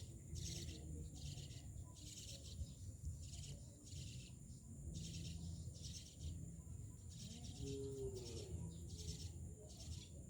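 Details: Myna repeating short scratchy, buzzy bursts at an even pace of about one per second. A low droning hum runs underneath, with a brief fainter warble near the end.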